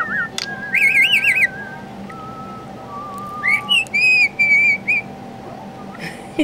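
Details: Mickey, a male pet budgerigar, whistles the tune Amazing Grace on cue in clear, warbling, pure-toned phrases; recorded 7 July 2012.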